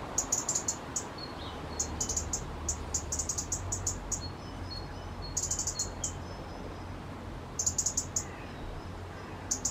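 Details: High, sharp ticking from a resident robin agitated by two nearby robins, delivered in fast groups of several notes every second or two, with one faint lower chirp and a low hum underneath.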